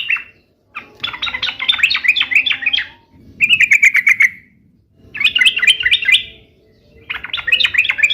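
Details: Vigorous sooty-headed bulbul: alternating bursts of rapid, warbled chatter and a buzzy run of evenly repeated notes, each burst about two seconds long, separated by short pauses.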